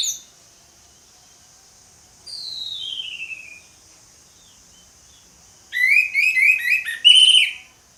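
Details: Orange-headed thrush ngeplong song: a long thin whistle sliding downward, a pause, then a quick, loud cluster of sharp, varied whistled notes ending in a bright high phrase; a faint constant hiss behind.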